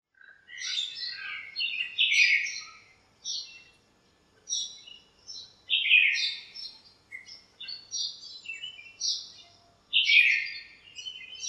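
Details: Several backyard birds chirping among the branches of a lemon tree on a sunny morning while they squabble, giving bright, high twittering phrases in bursts of one to two seconds separated by short pauses, with no other clear sounds.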